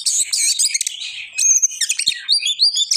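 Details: An Oriental magpie-robin in gacor song pours out a continuous jumble of high, squeaky warbles, quick trills and clear rising whistles, with scratchy notes between them and no break in the stream.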